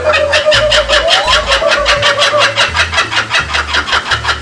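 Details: Laughing kookaburras at Bee City Zoo, Cottageville, South Carolina, in July: harsh, rhythmic chuckling notes, about two or three per second, rising and rolling on like mechanical laughter over a low background rumble.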